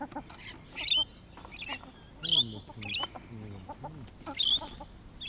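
Rainbow lorikeets give harsh, shrill screeches in short bursts, about one a second at first, over low murmuring voices.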